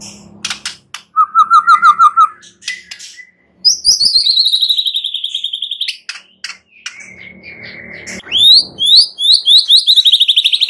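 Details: White-rumped shama singing a varied phrase: a rapid buzzy trill, a steady whistled note, then long, slightly falling whistles, a clipped stutter, and a fast series of rising whistled notes at the end.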